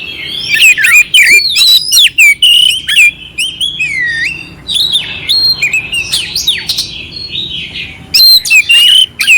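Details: Clear, rough-filled oriental magpie-robin song used to raise a cold bird's spirit: strong fluty whistles and descending slurs mixed with dry clicks, a quieter stretch mid-phrase, then renewed loud notes.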